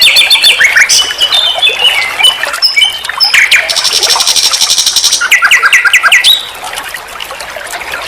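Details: Master recording of nightingale song for songbird training: varied whistled and chirped phrases, then a long dense high buzzing rattle, followed by quick repeated slurred notes before the singing fades.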